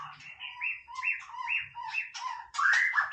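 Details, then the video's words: White-rumped shama singing casually: rich, fluty two-part whistles repeated in a steady sequence, ending in a louder rising, slurred whistle. "นกกางเขนดงร้องเล่น Shama Bird"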